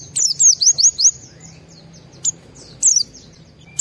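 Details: High-emotion white-eye song meant to trigger singing in other white-eyes: five or six quick high whistled downslurs in a row, then sparse single chirps and a final brief burst.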